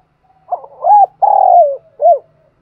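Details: Spotted dove, decoy bird from Dong Nai, Vietnam, calling the flock at morning: short note, arched coo, long level coo falling away, and a last rounded coo, clean and mellow.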